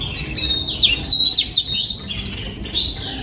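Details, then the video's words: Oriental magpie-robin singing in a breeding aviary, 2022: swooping whistles and short buzzy notes run in quick phrases, followed by a brief pause and a fresh burst. "Giọng Chim Choè Than Hót"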